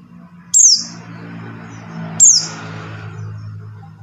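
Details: Buxtoni white-eye call meant to get non-singing white-eyes to sing: two high, thin, downslurred whistles about 1.7 seconds apart over a constant low droning hum.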